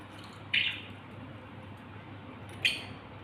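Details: A budgerigar near a fan gives two short, sharp chirps about two seconds apart over a faint low hum; Budgerigar.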